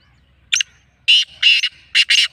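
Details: Black francolin calling in the kala teetar mastya style: a short double note opens, then three or four rasping, scratchy notes in a rhythmic phrase, the last two close together, with faint low rumble behind.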